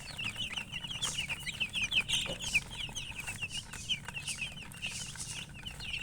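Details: Many high, thin chicken chirps tumbling over each other in quick succession, a busy unbroken stream of short peeps over faint low background noise.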